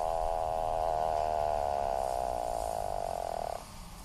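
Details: An Atlantic puffin's long, wavering nasal groan holds steady for over three seconds before stopping abruptly, leaving faint background noise.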